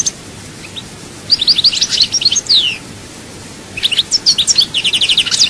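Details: Singing European goldfinch recorded at Souk Ahras, Algeria: two long phrases of rapid liquid twitters and descending slurred notes, the second ending in a quick repeated trill.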